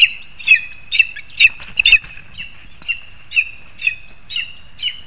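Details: Lesser spotted eagle near the nest as the parents bring food to the young, 2 August 2020; high thin calls repeated about twice a second, each a short rising whistle trailing into a level tone.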